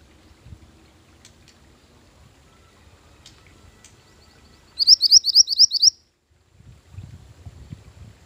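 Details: Mantenan gunung bird song used as a lure and master song for training: one short burst of rapid, high, upslurred chirped notes, about eight in a row, after a long quiet stretch with faint low rumble.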